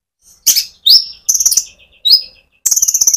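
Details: Rolling konin sunbird song played to stimulate other sunbirds: high thin downslurred chirps alternate with quick rattling trills of evenly spaced notes, loud and clear with no other sounds.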